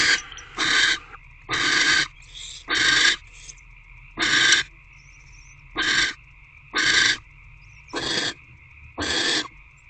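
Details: Barn owls bonding over a food delivery in Owl Box C, evening of 16 February 2024: eight rough, breathy screeches, each about half a second, repeated roughly once a second, over a faint steady hum.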